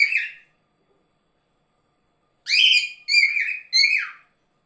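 A cockatiel gives a brief screech, then three harsh, whistled calls in quick succession, the last falling in pitch.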